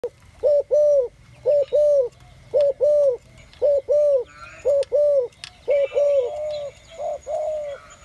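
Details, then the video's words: A rock dove (cote dove) gives soft, low cooing notes in paired bursts about once a second, with faint chirps of other small birds behind. "Cote dove sound"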